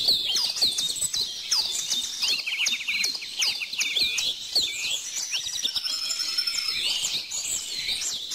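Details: Dense, nonstop birdsong from many birds, a wash of high twittering, trills and descending whistled notes layered tightly together with hardly a gap.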